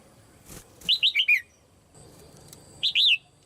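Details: Caged female red-whiskered bulbul, calling to excite other birds into singing: soft rustling, then four bright descending whistles in quick succession, a short pause, and a further two-note whistled phrase.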